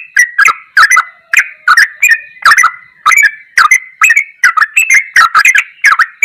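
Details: Yellow-vented bulbul delivering goklikan-style ropelan song, rapid chuckling whistled notes with sharp onsets, continuous and fairly even throughout.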